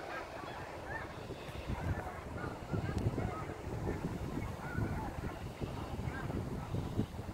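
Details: A large flock of snow geese coming down at sunset on the Saint Lawrence River, fall 2017: constant overlapping nasal honks and barks from many birds, with heavy low-pitched wind noise underneath.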